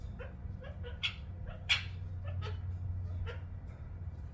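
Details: Pet ring-necked parakeet making funny happy sounds: a run of short, harsh, scratchy chirps, some squeaky and rising, repeated roughly every half second over a steady low hum.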